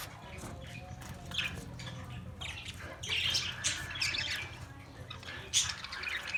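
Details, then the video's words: Australian parrot chirping: scattered sharp, squawky chirps over a steady low hum, growing busier and louder in the second half, with a strong burst near the end. "Beautiful Australian parrot video Bird Chirping sounds"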